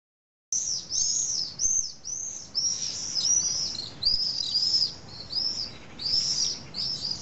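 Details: Common swifts at a nesting colony of about twenty pairs in the drainage holes of a huge retaining wall on a hill in Nice, France. Shrill, high screams arc and fall, overlapping almost continuously from many birds, over a low background rumble.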